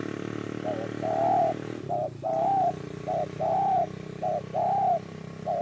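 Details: Spotted dove, linked to trapping wild doves, repeating short-then-long cooing phrases about once a second over heavy steady background hiss and hum.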